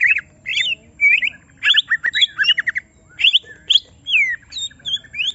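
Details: Provoked caged greater green leafbird giving varied song: slurred whistles, buzzy chatters and descending sweeps in quick, irregular bursts.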